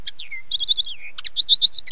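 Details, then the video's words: Common linnet singing: a fast, varied twittering of short high chirps and slurred whistled notes, with a falling whistle early on and a quick run of bright, clustered chirps after it. "Как поет коноплянка? 🐦 Звук поющей коноплянки и какие звуки издает коноплянка"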